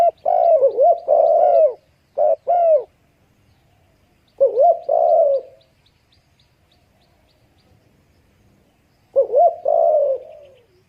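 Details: Spotted dove giving three separate bursts of soft, rounded cooing, spaced several seconds apart, each made of two or three hooked coos. Quiet gaps with faint background hum fall between the bursts.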